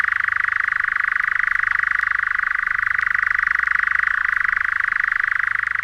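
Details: European Nightjar, a scarce summer visitor to England's broad-leaved woods, heard at dusk in a sustained rising and falling trill of up to 1900 notes a minute; a steady, rapid, unbroken mechanical churr fills the whole recording, from a vinyl record.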